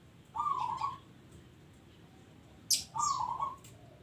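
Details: Local zebra dove in full voice, giving two soft, rolling, tremulous coo phrases about two and a half seconds apart, with a sharp high chirp from another bird just before the second.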